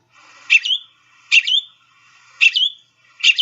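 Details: Northern Mockingbird song from a field-guide recording, repeating a bright, sharp, slurred mimicked phrase four times, roughly once a second, with a faint buzzy background between phrases; mockingbirds typically repeat each mimicked phrase three or more times.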